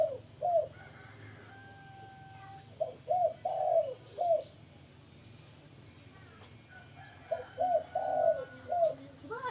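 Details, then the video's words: Repeated cooing phrases by a spotted dove: short hollow notes around a drawn-out, slightly descending coo, sung roughly every four seconds, with faint hum and a thin tonal whine in the background. "burung tekukur mantaf suwara"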